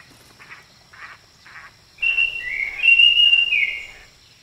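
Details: European bee-eaters on a spring day: three soft notes half a second apart, then a loud burst of liquid, rolling 'prruip' calls overlapping for two seconds, over a thin steady high hiss.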